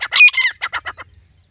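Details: Female and male grey francolins (teetar), used as a hunting sound, give a loud, harsh, squawking series of about eight rapid notes in a second, fading toward the end.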